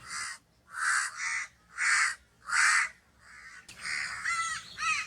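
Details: Crow cawing in short harsh bursts about once a second, followed by a rougher run of overlapping, grating calls at the end.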